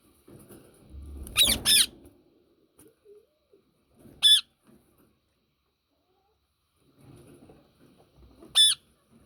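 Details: Yellow ringneck parakeet calling: a pair of loud, grating screeches, then single harsh shrieks spaced roughly four seconds apart, with quiet room noise between them.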